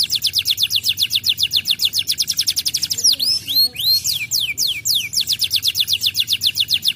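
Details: Canary song for prompting other canaries to sing: a fast rattling trill broken midway by a few slower, looping whistled notes, then the rapid trill returns.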